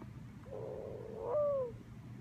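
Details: A female pet mourning dove gives her nesting/mating call, a soft, low hooting coo that swells, then slurs up and falls away, over quiet background hiss.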